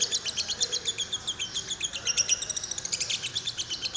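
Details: Lovebird lure calls for stimulating another lovebird to sing: fast, steady series of high, piercing chirps, about four per second, with a brief louder rush near the end.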